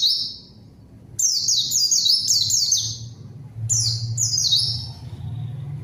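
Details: Lure song of a white-eye used to call and provoke a rival bird, which answers and joins in: high, sweet bursts of rapidly descending whistled notes in short phrases of about a second, with brief pauses between bursts.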